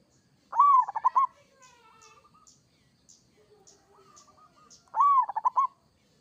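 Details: Zebra dove, local type, delivering two loud rolling phrases about four seconds apart, each an arched coo breaking into quick pulses, linked by softer trailing coos and faint high ticking.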